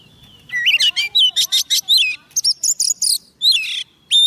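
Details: White-rumped shama, a soft-food-fed bird quick to sing, singing to call in wild birds: a rapid run of loud, varied whistled notes and fluttering trills, some sweeping up and down, ending in a clear high whistle after a brief pause.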